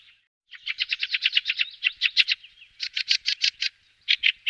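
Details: Fieldfare giving its alarm chatter: quick bursts of harsh rattling notes, about a dozen in the first run, then shorter runs of five and three after brief pauses. There are no other clear sounds.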